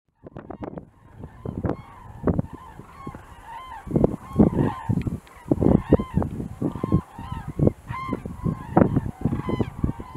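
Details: A flock of common cranes calls in Gard, France, in January 2024: loud, rolling, trumpeted notes from many birds overlapping in a steady, busy chorus.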